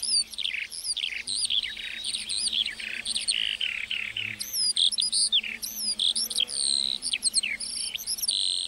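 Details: Singing lark over a meadow: continuous, rich high warbling with looping whistles, buzzy notes and quick repeated chirps, hardly pausing.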